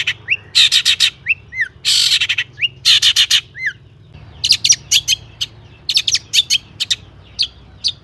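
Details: A long-tailed shrike's imitation-rich song, meant as a lure to set other shrikes singing; grating buzzy bursts mixed with hooked whistled slurs, followed by irregular sharp high chirps.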